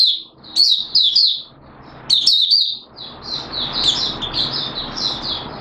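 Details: Oriental white-eye from Malaysia, called mata puteh, in 'buka' singing, Singapore, 29 March 2023, warm humid weather: a few high sweet twitters, then softer continuing warbles half-buried under a steady hissing noise.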